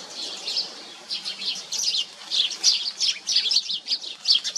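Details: Common iora feeding its chicks: a busy stream of thin, high, rapid chirps and twitters in irregular bursts, rising and falling in loudness, with a faint low hum underneath.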